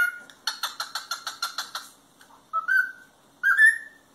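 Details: Cockatiel vocalizing for singing practice: a quick series of about ten raspy, pulsed notes, then two separate clear whistles that rise slightly and hold steady.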